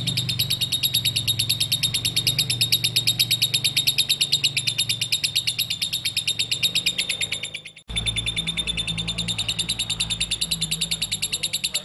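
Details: Lovebird in prolonged song, a continuous fast-pulsed chatter of shrill, buzzy notes, about three per second. It breaks off briefly near the eight-second mark, then carries on at the same pace over a low background hum.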